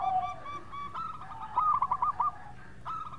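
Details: Local zebra dove, a vocal and sweet-voiced bird in a lure recording: quiet low coos, then a brief run of about six quick bubbling notes and a faint closing coo.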